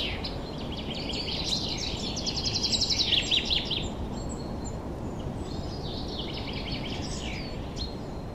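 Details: Spring woodland birds, 2023, giving a busy high twittering phrase ending in a few loud sharp notes, then softer distant chirping, over a persistent low rumble.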